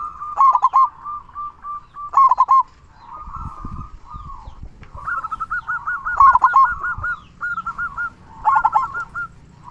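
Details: Local zebra dove singing loudly with a big 'kung' voice, played to coax quiet doves into calling: bursts of quick clipped coos alternating with long trilled strings of evenly spaced notes, a low rumble of handling noise midway.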